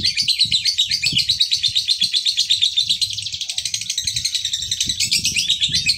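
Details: Male fighter lovebird singing as a lure for other lovebirds: a continuous, fast run of piercing, raspy chirps, very even in rhythm, with soft low knocks and rumble in the background.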